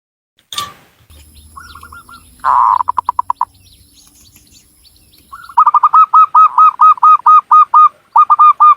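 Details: Zebra dove of a local Javanese line, Cilacap, Central Java, gives soft clipped coos, a loud rolling burst trailing into spaced pulses, then a long fast run of repeated hooked notes, with faint high chirps behind.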